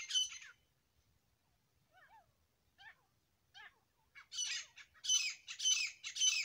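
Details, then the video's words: Grey francolin, a pair. A few soft, scattered notes come first, then a run of loud, harsh, rasping bursts repeated rhythmically toward the end. "Grey Partridge Sounds . Francolin Voice . Dasi teetar Awaz . boli . جوڑے کی آواز"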